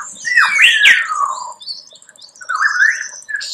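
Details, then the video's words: Lyrebird song: loud, varied phrases with sweeping whistles that slide down in pitch, then a softer rising, chattering phrase and thin high notes. "Lyrebird sound"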